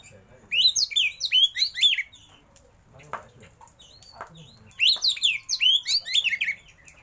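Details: Oriental magpie-robin (kacer), a caged bird, delivering two rapid bursts of loud, varied whistled notes rising and falling, each lasting about a second and a half, with soft clicks between.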